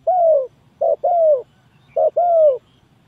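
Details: Spotted dove calling as a lure for trapping: a lone drawn-out coo, then two phrases, each a short clipped coo followed by a longer, smooth, gently falling croo, in a quiet background.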